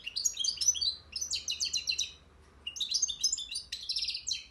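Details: Cimbil song of a European goldfinch in Akhisar: two fast, liquid twittering phrases of high chirps and trills separated by a short silence, loud and clear against a still background.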